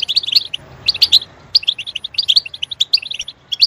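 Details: Goldfinch song played to make a bird chirp: bright, high, tinkling notes in short energetic bursts separated by brief silences.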